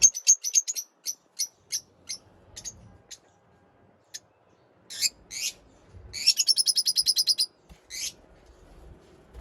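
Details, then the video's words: Lovebirds chirping: a fast series of high sharp chirps, then louder harsh buzzy bursts and a rapid rattling chatter of about a dozen notes, with near silence behind. "lovebird sounds for lonely bird lovebird chirping sounds"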